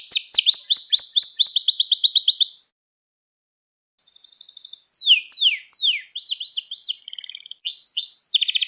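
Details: A Gloster canary sings to excite fellow canaries and train young singers: a rapid rising-note trill for over two seconds, silence, then a buzzy roll and a series of sharp slurred chirps.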